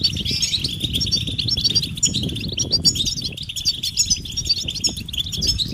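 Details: European goldfinches chattering their mating calls: rapid, bright, overlapping chirps and liquid trills high up, unbroken throughout, over a steady low rumble.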